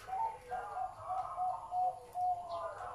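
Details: Zebra dove with a big, deep voice giving a series of short, clear, whistled coos. The notes are repeated about every half second at an even pitch, with faint background hiss.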